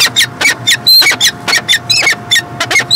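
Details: Peregrine falcon recorded in Montreal, Canada, in 2016, giving a rapid run of grating, squealing call notes about four per second. A few notes have a thin, higher whistled edge, and a constant low hum runs throughout.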